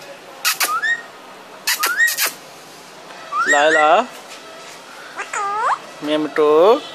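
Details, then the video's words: Talking parrot: two quick pairs of sharp clicks each ending in a brief rising whistle, then a long throaty, harmonic syllable and two more curved, speech-like calls that drop then rise, over a faint hum. "Raw parrot talking"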